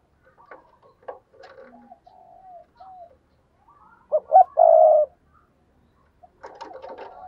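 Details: Spotted dove used as a lure, calling to excite others. Faint chatter and soft low notes lead into two sharp notes and a loud sustained coo. Scattered clicking sounds follow.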